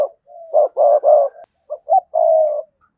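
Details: Spotted dove used as a decoy, sa gù and thúc bổi coo: a soft lead-in note, three rough swelling coos, then two short notes and a long sustained ending coo.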